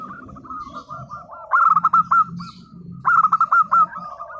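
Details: Local zebra dove in full song, used to make silent birds answer: two loud bursts of quick, bouncing coo notes stand out against steady softer cooing from other doves and a low background hum.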